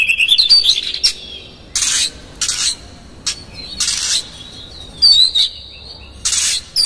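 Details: Oriental magpie-robin singing hard as a lure to provoke other magpie-robins: opening jumble of whistled notes, then loud rasping bursts and a brief bright twittering flourish.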